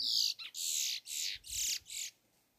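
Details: A chestnut-bellied seed-finch on a farm in Rio, Brazil, on 05/03/2022, sings a run of five loud, high, rasping phrases, each about half a second long, in quick succession.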